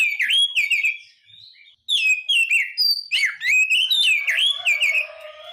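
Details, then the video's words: Song of a white-rumped shama: fast, varied whistles that swoop up and down with sharp chip notes, in dense phrases separated by a short gap, plus a faint lower tone near the end. "SUARA BURUNG KACER"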